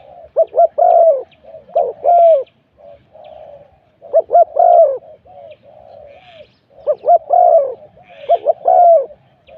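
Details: Spotted dove in a decoy-luring session sings three cooing bouts, each a quick cluster of stuttered notes rising into a fuller coo, followed by softer trailing coos, with faint higher chirps from other birds.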